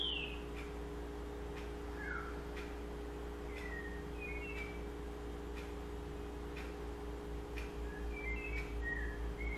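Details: Sabiá-style song of a double-collared seedeater: short, thin whistled slurs and paired chirps scattered across several seconds, rather faint above a constant low hum.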